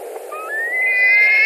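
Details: A white-tailed eagle at a nest in Latvia, 2 August 2020, amid screaming and fights after a carp delivery. A thin whistle slides upward and swells into a loud, steady scream.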